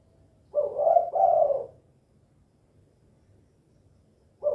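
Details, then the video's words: Spotted dove, known locally as tekukur, 'kuk 2' style: a soft two-part coo, a short note then a longer rolling one, followed by quiet and the start of another coo. "SUARA BURUNG TEKUKUR KUK 2 GACOR"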